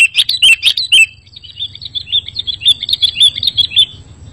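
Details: Sooty-headed bulbul singing on a recording used to lure and prompt other bulbuls to answer: a few loud, bubbly chirps open, then a faster run of short warbled notes with a faint low hum beneath.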